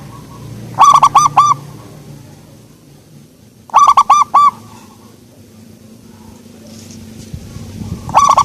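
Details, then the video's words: Soft-voiced local zebra dove singing three phrases about three seconds apart, each a rapid run of five or six mellow, arched cooing notes, over low background hum. "perkutut lokal suara empuk"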